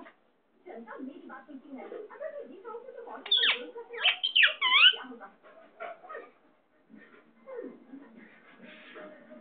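Indian ringneck parakeet chattering in a low, speech-like murmur, then a burst of shrill, rising squeaks and smacking kiss sounds; a person speaks briefly.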